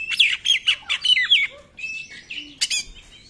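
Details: Oriental magpie-robin singing in the rapid 'nembak' style, used as a lure to spur silent magpie-robins into song: sweet whistled notes with quick slurred twists, several phrases in a row, then a pause and a sharp buzzy burst.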